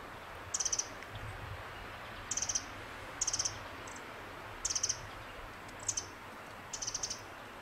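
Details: Pacific wren on the Fox Hollow Ridgeline Trail, Oregon, gives short, very high, rapid ticking bursts about every second, each a quick stutter of sharp notes, over a faint low rumble.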